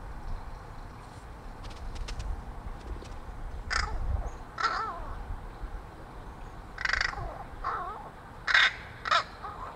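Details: Friendly neighborhood crow fed from a fire escape, making soft muttering and rattling sounds to its feeder; short hoarse caw-like notes mixed with quieter gurgling wavering sounds, then two louder rasps near the end.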